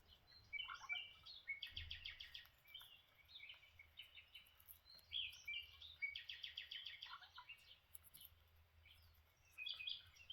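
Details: Lineolated parakeets, also called linnies, chattering while having breakfast: bursts of soft, warbling, chirpy notes with short buzzy trills, coming in groups with quiet gaps between, over faint low background hum.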